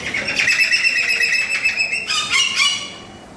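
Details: Moluccan cockatoos at Jurong Bird Park, 13 February 2014: a harsh, loud, harmonic screeching call held for about two seconds, then a second burst of strident squawks.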